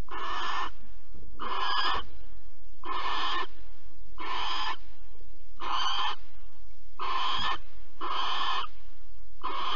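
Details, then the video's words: Barn owl at Alphen, 15 April 2020, during mouse handover and mating: rasping, breathy shrieks of under a second, repeated steadily about every 1.2 seconds with short silent gaps between them. "Kerkuil Alphen 2020 04 15 PO muis en paring"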